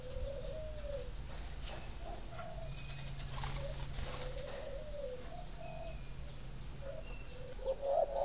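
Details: Spotted dove cooing, played to stimulate captive breeding birds to lay: low, soft cooing phrases that rise and fall, recurring every second or two over a steady low hum, with faint high chirps in the background.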